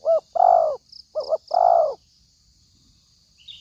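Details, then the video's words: Spotted dove used as a trapping lure, described as very fierce: deep hollow coos, a short doubled note then a longer drawn-out coo, repeated twice, with a faint steady high hiss behind. "pikat tekukur || pikat terlampau garang"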